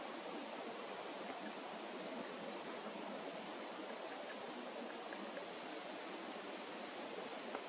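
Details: Constant rushing of a stream or small waterfall, a dense even hiss filling the forest with no animal voice.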